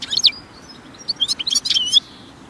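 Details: European goldfinch in nature delivering a quick, high, liquid twitter of tinkling notes and short rising and falling slurs, closely packed over two seconds.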